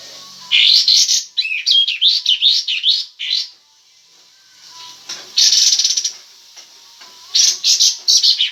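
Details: Kapas tembak in breeding condition with tail spread, singing actively: loud bursts of harsh, buzzy chattering notes in rapid runs, then pauses and two more noisy bursts.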